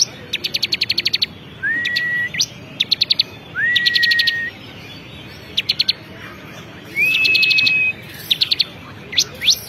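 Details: Bar-winged prinia of the 'kristal' type, a champion bird, singing vigorously: rapid bursts of high ticking trills alternate with clear whistled notes that slur upward and then hold level, repeated several times.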